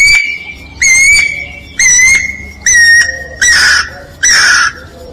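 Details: Song of a guira cuckoo, also called anu-branco: six loud whistled notes about one per second, the first ones pure and even, the last ones rougher and buzzier, over a faint low background hum.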